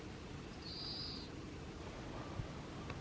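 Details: At a temple precinct in Kasaoka, Japan, a Japanese pygmy woodpecker gives one brief, buzzy high-pitched note following a white-eye's calls, with constant low rumbling background noise throughout.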